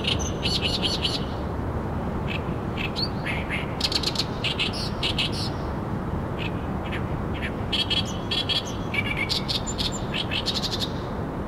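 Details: Oriental reed warbler singing energetically by the Arakawa River waterside, Tokyo, Japan: loud, grating, chattering phrases of repeated harsh notes, delivered in bursts with short pauses, over constant low rumbling noise.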